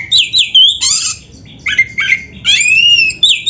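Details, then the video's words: Oriental magpie-robin in lively song full of filler phrases: harsh, rasping squawks mixed with high slurred whistles, delivered in short, broken bursts. "Kacer gacor full isian RAPET"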